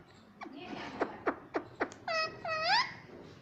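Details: Talking parrot kept as a pet indoors, said to say 'mummy' and 'papa'. A row of five quick clicks is followed by two clear speech-like phrases that slide upward at the end.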